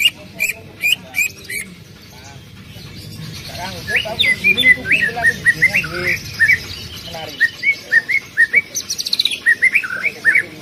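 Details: Greater green leafbird singing to prompt another leafbird: a few buzzy opening notes lead into a long, varied warble of quick slurred and chattering whistled phrases.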